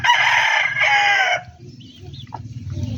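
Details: Backyard rooster from a poultry breeder giving the loud, raspy end of a crow in two strong bursts over about a second and a half, then low engine-like rumble with faint distant bird calls.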